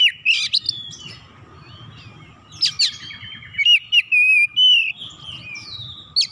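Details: Oriental magpie-robin, described as a lazy bird that rarely sings, delivering a varied song of sharp whistled notes, rising slurs and buzzy chips in loud bursts separated by quiet gaps, with faint low hum beneath.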